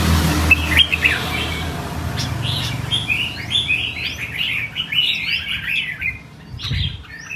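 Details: Ornamental red-whiskered bulbul in showy performance-style song: a lively stream of rapid rising and falling chirped phrases, irregular and bubbling, with a faint low hum and a brief thump near the end.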